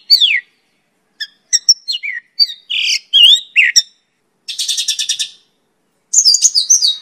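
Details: Song of a Mongolian lark for training other birds: a downslurred note, clicks and varied slurred phrases, then a fast buzzy trill near five seconds and a closing run of high twittering notes.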